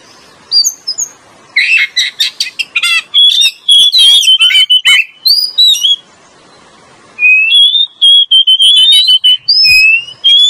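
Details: Oriental magpie-robin lure recording with male and female singing: loud, varied whistled phrases and rapid chirps, with sweeping and rising whistles and buzzy bursts repeated in quick succession, then a pause and more sliding whistles.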